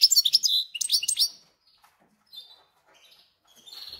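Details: Caged goldfinch-canary hybrid singing: a burst of high, sharp twittered notes and trills for just over a second, then near silence with faint scattered chips and a short thin whistled phrase near the end.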